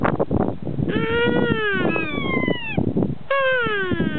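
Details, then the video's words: Kea calling back to a person's imitation at the Punchbowl Falls carpark, Arthurs Pass, New Zealand. Two long, mournful, slowly falling wails with a rich nasal tone sound over continuous rushing background noise. "Talking Kea NZ bird"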